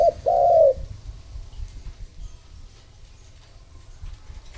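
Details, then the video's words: Lure-call coo of a spotted dove meant to draw in other doves: a short low hoot then a longer, slightly falling coo at the start, then quiet background murmur. "Cu gáy mồi thúc gù gọi bổi / Suara Burung Tekukur Gacor Terbaru 2026 Paling Ampuh Untuk Pancingan"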